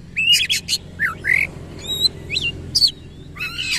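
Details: Tail-spreading Oriental magpie-robin (kacer) giving 'gacor' song with rough 'isian kasar' material. Harsh scratchy squawks and upslurred whistles come in separate bursts, with one clear high piping note between them.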